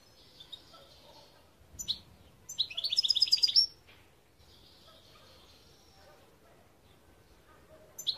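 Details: European goldfinch singing, recorded in 2021: a brief burst of fast, high, tinkling twittered notes near the middle, with fainter twitters before and after over quiet background hiss.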